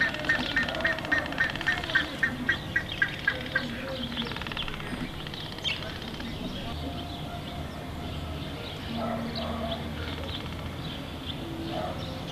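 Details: Red-breasted toucan, recorded 25–26 June 2014, gives a quick run of harsh, croaking notes, about four per second, then fades into a murmur of mixed background sounds and other birds.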